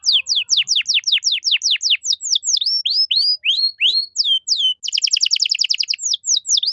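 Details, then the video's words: Persistently singing canary in 'cengkok mewah' style, played to teach young songbirds: a long run of steep downward-slurred whistles about every quarter second, shifting into curved notes, then a fast dense trill. "MASTERAN KENARI GACOR || Cengkok Mewah Mudah Masuk untuk Burung Bahan"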